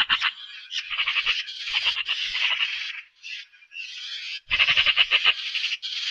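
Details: A magpie's loud, grating rattle: fast series of rasping chak notes in long bursts, briefly dropping off midway before a strong final run.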